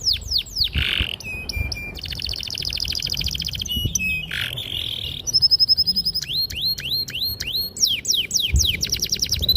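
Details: Vigorous canary song, clear and sharp, used to lure young canaries into singing: sweeping whistles, a dense buzzy roll, short pulsed trills, and fast repeated rising-falling notes.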